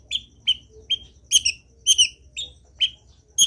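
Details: Long-tailed shrike singing actively to spur other shrikes: bright single and doubled chirps spaced roughly half a second apart, steady and repetitive.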